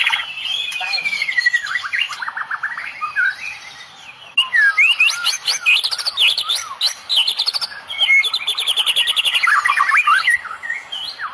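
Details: White-rumped shama, Medan type, singing a cililin-laden 'tembakan' phrase: clear slurred whistles rising and falling, mixed with quick chirping bursts and scratchy trills in loud phrases separated by short gaps.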